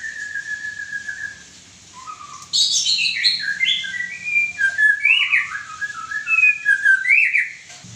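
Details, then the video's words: Song of a white-rumped shama, opening with a long level whistle and a short low note, then a loud run of varied whistles, upslurred and downslurred, tumbling quickly across a wide pitch range. "murai ekor klewer klewer"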